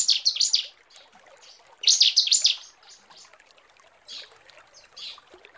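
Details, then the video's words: Bar-winged prinia female calling to a male, a lure recording: two quick runs of bright, descending high chirps, then softer, scattered chirps against a quiet background. "Suara ciblek betina panggil jantan"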